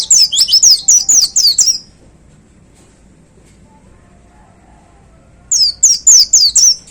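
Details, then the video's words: Caged white-eye hung on its hook, singing in a 'tembakan' shooting style: a rapid run of high, sharply falling whistled notes for about two seconds, a pause, then another quick burst of similar slurred whistles. "Suara Tembakan Dahsyat Pleci Gacor Paling Digemari Para Plecimania Digantangan"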